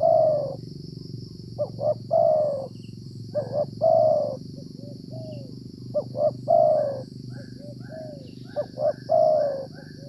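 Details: Spotted Dove (tekukur) in the rainy season while being trapped with a decoy. Its coo phrases repeat roughly every few seconds, each made of quick short notes and a longer falling coo. Quieter notes follow, over a steady low rumble and a faint whine.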